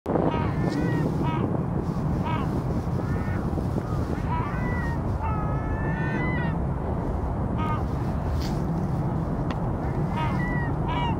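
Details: Vega gulls beginning courtship calling on 5 February, early in the breeding season, the pair still apart: scattered harmonic, slightly rising wails in short bursts over heavy surf and low rumbling noise.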